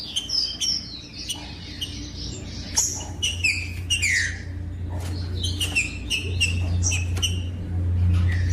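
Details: Captive green-winged saltator singing strongly for warming up other caged birds: rapid sequences of whistled, downward-sweeping notes with sharp clicks, and a humming drone that grows louder toward the end.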